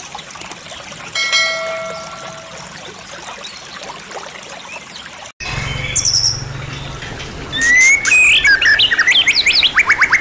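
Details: White-rumped shama, a champion-class bird with a full, rich repertoire of mimicked phrases (isian), used as master training material: quiet hiss with faint steady whistles, then loud rising whistles and rapid repeated sharp notes in the final seconds.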